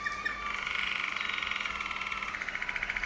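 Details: Waterslager Malinois canary from Veliko Gradište, Serbia, singing a continuous rolling, bubbling warble of fast trilled tours held at mid-high pitch, with rapid pulsing throughout and a faint steady hum beneath.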